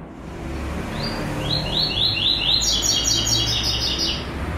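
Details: Classic tuí tuí zel zel song with third note from a white-throated seedeater. A lone high note is followed by a series of quick downslurred whistles, then a sustained high buzzy trill, over a low background hum.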